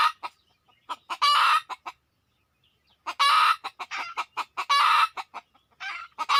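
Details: Red junglefowl, wild birds drawn in within two minutes: loud harsh crow-like bursts of about half a second, interspersed with rapid short clucks, in quiet surroundings.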